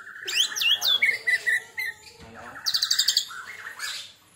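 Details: Oriental magpie-robin, kacer after its first molt, with 'tembakan' song: twisting high whistles, a series of mid-pitched whistled notes, then a quick high rattling trill.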